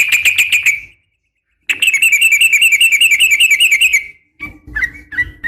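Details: Calls of a female Yellow-vented Bulbul summoning a male. A quick run of bright notes stops, then a long rapid rattling trill follows for over two seconds before scattered softer whistles.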